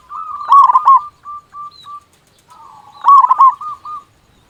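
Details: Loud-voiced local zebra dove in active song, used as a lure to prompt other doves to sing: two phrases about three seconds apart, each a bubbling, rolling coo burst trailing into a few short, evenly spaced cooing notes, otherwise quiet.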